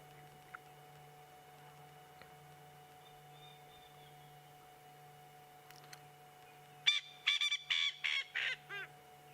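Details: Coqui francolin on an afternoon safari drive, 28 October 2016, giving its loud territorial call of harsh, ringing notes non-stop over a low engine hum, with at least two others calling back in the distance.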